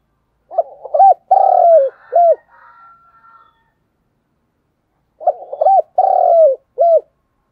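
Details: Spotted dove used as a decoy, cooing forcefully in the 'thúc gù' style. Two phrases about five seconds apart, each with short hooked coos bracketing a long, burry, descending coo, plus faint soft notes after the first.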